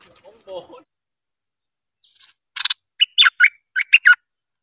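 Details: Streak-eared bulbul, apparently a decoy bird used for trapping, giving about six short, scratchy, bright chirps in quick succession after a faint murmur at the start.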